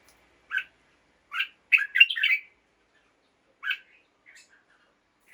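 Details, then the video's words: Red-whiskered bulbul kept in a cage, singing in the morning: clipped whistled phrases, first single notes, then a rapid tumbling cluster of bright chirps near the middle, followed by a lone note and silence. "กระตุ้นนก ให้คึกคัก ยามเช้า เสียงร้องเสียงริกนกกรงหัวจุก"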